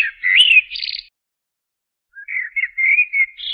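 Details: Singing blackbird: the tail of a phrase with a rising whistle and a high, squeaky twitter, then after a pause a new run of soft, fluty warbled notes.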